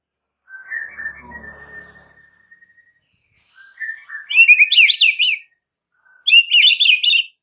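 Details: White-rumped shama master song to trigger a reply from other shamas: a thin drawn-out whistle with a faint rustle, then loud, jumbled, buzzy high warbles in two bursts separated by a short pause.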